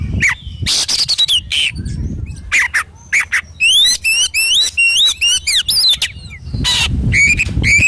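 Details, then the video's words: Kacer (Oriental magpie-robin) singing vigorously for training and therapy: scratchy harsh notes give way to a fast repeated series of upswept looping whistles, then more rasping bursts with some low background noise. "SUARA BURUNG KACER GACOR COR"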